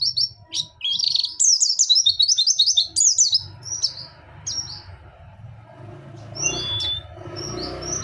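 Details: White-eye of the Dakun type from Pacitan in nembak song with mantenan and zipper witwit: a fast, dense chatter of high slurred notes for three seconds, then sparse whistled notes over a steady broadband background hum.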